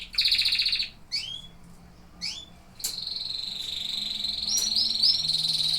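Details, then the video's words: Singing canaries: a fast rattling trill, two rising slurred whistles, then a long sustained high whistle with small rapid flourishes layered over it. "Singing canaries."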